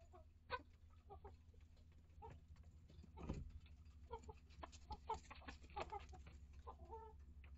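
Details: Mixed-breed hens and chicks in a chicken coop and run: scattered clucks and short calls, some sharp clicks and a low thump midway, over continuous background hum.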